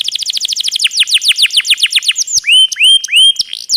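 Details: Canary song used as a training recording for other songbirds: rapid run of falling whistled notes, about three or four per second, then loud upswept whistles and bright high tones.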